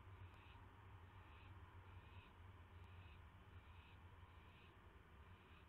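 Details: Owl on a live nest camera at night, 9:38 PM on May 9, 2016, as it receives a mouse: harsh, raspy hissing bursts repeated roughly every second, about six in all, over a steady low rumble.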